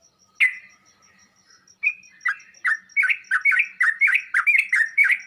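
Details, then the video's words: Sooty-headed bulbul training audio meant to make other birds answer: an isolated note and a quiet stretch, then chirps that quicken into a dense, rapid run of bright slurred notes. "Burung trucuk anda bakal nyaut dan ngropel seketika saat di masteri dengan suara trucuk ini"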